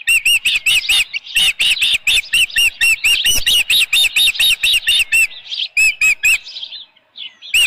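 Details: Osprey at the Dunrovin Ranch nest on 10 June 2018, 6:41 PM, with a headless fish: loud, rapid series of high, sharp whistled chirps, many per second, in bursts with short pauses, ending in a few spaced chirps.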